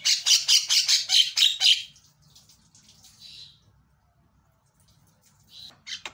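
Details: Javan myna in full, loud song, used as a lure to get a silent myna singing: a rapid run of about seven harsh, buzzy notes over two seconds, then quieter scratchy fragments and two short notes at the end.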